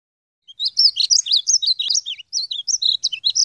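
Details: A wild European goldfinch gives a quick, liquid twittering song of high tinkling and buzzy notes, run together without pause for about three seconds.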